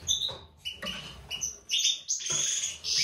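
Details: European goldfinch pair kept for breeding, white-throated mutation male and classic female: scratchy, irregular twittering that builds into a loud, buzzy, sustained high phrase.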